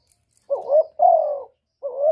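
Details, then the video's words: A spotted dove gives a 'một hậu ròng' call: a low two-part coo, a short throaty note, then a long drawn falling one, with the start of the next phrase at the end. No other sounds. "cu gáy gọi một hậu ròng"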